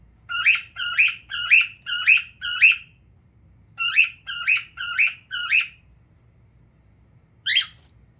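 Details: A male pet cockatiel kept at home sits and calls in a steady series: five short harmonic squawks in quick succession, a pause, four more, then one sharp rising call after a longer silence; no other sounds.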